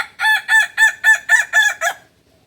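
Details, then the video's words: Seven rapid, evenly spaced, bright crow syllables from a kukuak balenggek chicken native to Solok, West Sumatra, delivered in about two seconds on a clean quiet background. "Ayam kukuak balenggek"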